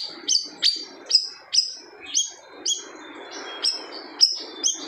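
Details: Siri-siri bird delivering loud song said to make other birds fall quiet: high whistled phrases with sharp accented starts at an even pace, then more drawn-out, sliding notes, against a constant low rushing noise.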